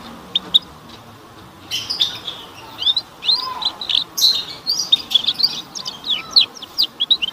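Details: Canary twittering played to young canaries to encourage early singing: quiet at first, then a lively stream of high chirps, trills and slurred notes continuing steadily to the end.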